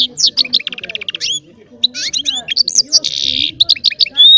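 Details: Goldfinch-style singing by a small baster hybrid: jumbled high chirps, a harsh buzzy segment and trilled runs, with low background murmuring underneath.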